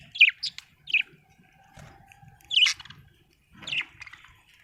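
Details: Happy budgerigar chirping: short bright chirps, a pair early then single squawky notes later, with soft chatter between.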